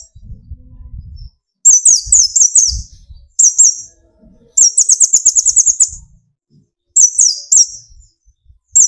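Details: Sunbird (kolibri ninja) song used to rouse other sunbirds: repeated bursts of fast, shrill high chirps sliding slightly downward, one long rapid trill in the middle, and some soft low knocking early on.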